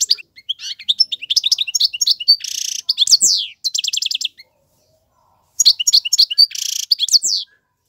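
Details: European goldfinch male tutoring young birds with song: chattering twitters, a rough buzzy wheeze and crisp rapid trills, then a gap and another twittering phrase with a second buzz.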